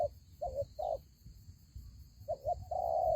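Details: Spotted dove serving as a ground lure in a fighting trap, giving soft low coos in short clipped pairs, a brief pause, then more quick coos ending in one long sustained coo; faint low rumble behind.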